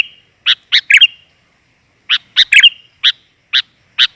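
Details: Female sooty-headed bulbul (kutilan) call used to draw in males: short, sharp chirps in small clusters of two or three, then single notes about every half second, against silence.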